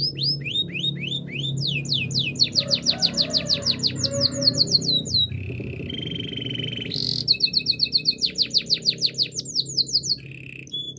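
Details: Canary in full song: a string of quick falling notes, dense rattling trills, steady whistled tones and a buzzy burst, then another fast run of sharp notes, over a low steady background hum.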